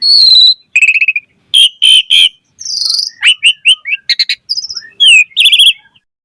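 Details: Chatty song of an Asian pied starling with varied material, used as a lure to get other starlings singing: short high whistles, harsh buzzy bursts and sharp repeated chips, over a quiet background.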